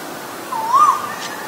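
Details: Asian koel, male and female, giving one clear whistled note, about half a second long, that dips slightly and then rises before fading, over a soft steady hiss with no other callers.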